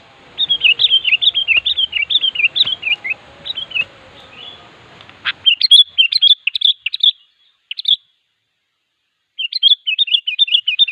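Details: Sooty-headed bulbul calling a rival with rapid, continuous runs of chirpy whistled notes, first over a light hiss, then clearer with a short pause before a final burst.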